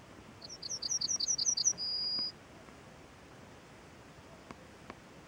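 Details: Small bird singing from a branch, giving a rapid run of roughly eight sharp, high chirps followed by a long steady high whistle, then quiet with faint background noise and a couple of soft ticks.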